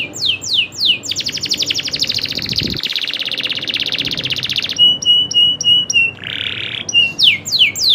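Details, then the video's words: Singing local canary, Indonesia, in the rolling style: falling whistles lead into a long buzzy rattle lasting several seconds, then clipped repeated pips, a short harsh burst and more sweeping whistles. "kenari loper suara asli nembak ngerolll"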